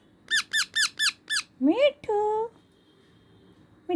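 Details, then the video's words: Baby parrot kept as a pet indoors, giving five quick, evenly spaced squeaky notes that fall in pitch, then a rising squawk and a longer flat-toned call in a small room. "Cute sound of baby parrot"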